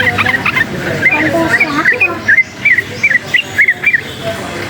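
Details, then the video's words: Forest-caught yellow-vented bulbul excited by surrounding noise, giving a chattering run of quick, liquid, up-and-down chirps that becomes clearer and more spaced toward the end, over a muffled background of voices and hum. "suara bising menambah EMOSI burung TRUCUKAN ini | trucukan ngalas gacor nembak ropel uplik uklik"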